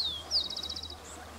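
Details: Adult Wren-like Rushbird (Phleocryptes melanops), Chubut, Patagonia, Argentina, December 2021, gives a thin, high downslurred note, then a quick ticking series of about eight pulses in half a second; faint low hum.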